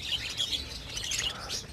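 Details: Breeding-season budgerigar colony, many birds chattering at once in a dense, continuous stream of bright twittering chirps and warbled notes.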